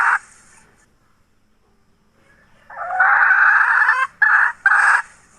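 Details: Hen recorded in 2021: a short squawk, a pause of over two seconds, then a long harsh raspy call followed by two quick clipped squawks in a broken cackling pattern.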